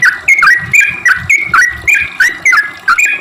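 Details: Short burst of sooty-headed bulbul song played to lure other bulbuls into singing: about eight quick, clear notes, each bending down then up, repeated several times per second.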